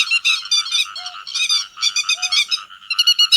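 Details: Several grey-headed lapwings calling to gather the flock, used as a netting lure: loud, rasping stacked notes in quick overlapping bursts, and two brief lower tones.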